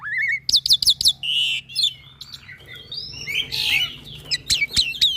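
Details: Black-winged myna, young and singing vigorously for training other mynas: a rising whistle, quick high clicks, a buzzy trill, then rough scratchy notes and sharp chirps in a busy varied phrase, faint hum behind.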